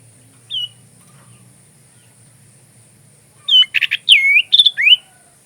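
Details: Sooty-headed bulbul, used as training song for magpie robins, gives one short whistle followed after a pause by a rapid run of chirps and looping whistled slurs.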